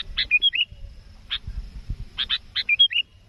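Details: Sooty-headed bulbul calling energetically at a rival, sound used to lure birds for trapping; repeated bursts of a harsh buzzy note then bright bubbly whistled phrases, heard twice with a short buzz between, low rumble beneath.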